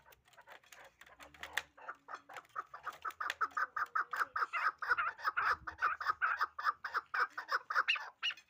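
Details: Hybrid fighting partridge, a chukar, starting with scattered clucks that build into a rapid, rhythmic chain of loud chuk notes, nearly three per second, growing stronger and staying insistent to the end.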